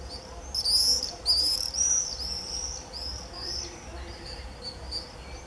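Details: Common swifts screaming in a frenzy in early July 2018: a dense run of shrill, high, drawn-out screams, loudest in the first two seconds, then fading into overlapping fainter screams over a low hum.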